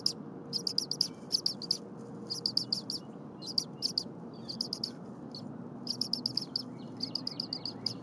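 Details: Young bald eagle in its nest, 8:00 AM, 23 January 2022, begs noisily while its mother prepares stiff frozen prey and does not feed it, after an earlier feeding by the father. Rapid high chirp series come in bursts, separated by brief gaps.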